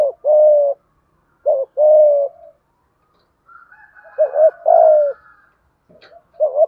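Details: Lure spotted dove giving a rhythmic coo used to coax reluctant doves into calling; low hollow coos in short-long pairs, a faint higher trill in the middle, then a doubled coo and a final short note.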